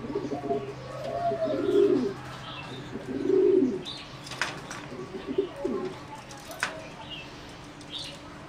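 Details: Competition-bred singing zebra dove in a flight cage gives low rolling coo phrases, three main bursts spaced a second or so apart, with light clicks and faint background chatter.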